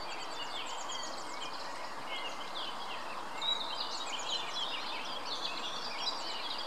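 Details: Several young greylag goose goslings at the Munich Botanical Garden give a steady chorus of thin, high, falling peeps that overlap quickly, over a constant background hiss.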